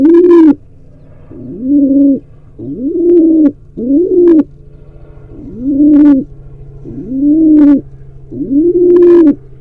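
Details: Wild pigeon at a barn owl/pigeon camera in Israel, trying to breed, coos loudly and often: deep, rounded notes rising into a held tone, some with brief sharp clicks, over a constant low hum.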